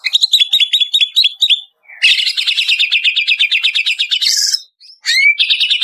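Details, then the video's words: Greater green leafbird, Banyuwangi type, in a processed lure recording meant to stimulate caged birds. About ten crisp repeated chip-whistles lead into a long buzzy rattling trill, then a sharp upswept whistle and more chatter. Clean recording. "Suara Pancingan Jitu Cucak Ijo Banyuwangi"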